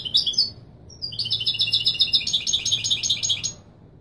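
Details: European goldfinch performing authentic Wīdānī Marrakchi song for teaching chicks: a few sharp high notes, a short pause, then a long rapid trill of tinkling, pulsing notes that fades out, with a faint low hum behind.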